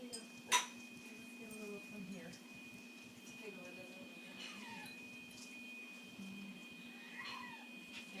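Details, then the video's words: A pet Amazon parrot in its cage, refusing to go to bed, mimics a complaining cat with soft, drawn-out downward-sliding meows, over a low steady hum with one sharp click near the start. "the Meowing Parrot"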